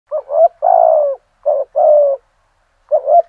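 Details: Decoy spotted dove singing in the 'giọng thổ' style at first light, used to provoke wild doves. Low cooing phrases of two short notes then a long drawn coo, three phrases in quick succession over silence.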